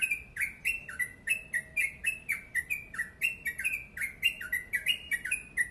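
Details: Yellow-vented bulbul in a long, fast, tightly packed song (ropel panjang gacor): rapid series of short slurred notes, alternating rising and falling, about three per second, each topped by a sharp high click, quiet background.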